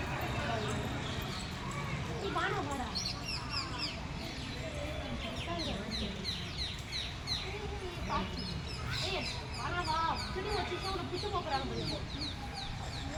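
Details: Birds chirping at Kumara Kottam, Kanchi: many short high chirps and quick downward-sweeping tweets overlap throughout, rising and falling in density, over a steady background of human voices and crowd murmur.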